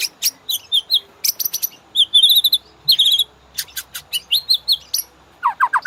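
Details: White-rumped shama master song for training caged birds: rapid high chips and short trilled phrases repeated in bursts, ending in a few lower falling notes.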